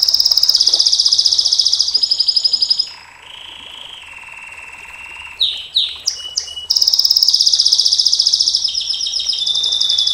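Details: Canary long-shooting 'nembak panjang' song for training other canaries: loud fast rattling trills, a dip to a lower droning note, then rising sweeps and another long trill.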